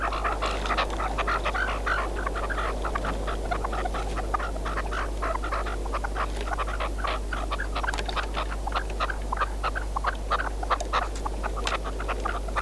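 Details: Red-legged partridge hunting decoy calling steadily for over twelve seconds, a dense chatter of short grating notes packed closely together, with a low background drone.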